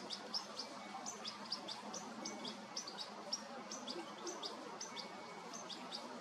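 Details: Juvenile European goldfinch being fed by its mother, 29 August 2022. Thin, high, squeaky begging notes repeat rapidly, several each second, over a steady background hiss of outdoor noise.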